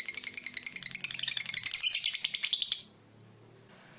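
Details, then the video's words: Fighter lovebird's ngekek trill, used to provoke rivals into singing: a quick rattling run of sharp, high chirps that grows louder for nearly three seconds, then stops abruptly into near silence before a brief restart. "Lovebird Fighter ngetik ngekek panjang - Bikin musuh ikut bunyi"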